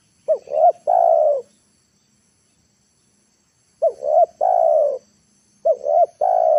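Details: Afternoon decoy spotted dove luring wild birds to the ground: a three-part coo, two short upswept notes and a longer descending one, repeated after a two-second pause and starting again at the end.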